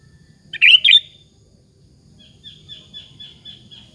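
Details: Sooty-headed bulbul singing a lure to prompt other bulbuls to answer: a brief, bright, chattering phrase, followed by a soft, repeated, wavering high whistle.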